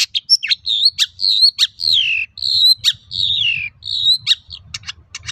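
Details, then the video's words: Long-tailed shrike in vigorous full song, used as a lure to provoke other shrikes into singing: rapid varied high whistles, long downward-slurred notes, sharp upswept chips and short clicking bursts near the end, with faint low rumble underneath. "Suara burung cendet gacor untuk pancingan cendet bahan"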